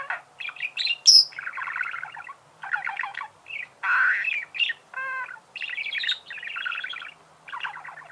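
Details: Budgerigars singing loudly in choppy bursts of buzzy chatter, a high squeak early on, a harsh rasp and a rapid rattle midway, then more warbling phrases.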